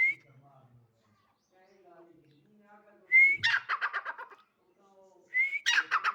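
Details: Calls of a female grey francolin (dakhni teetar): two phrases, each a brief upslurred whistle leading into a fast burst of rough, stuttering notes, separated by quiet low murmurs.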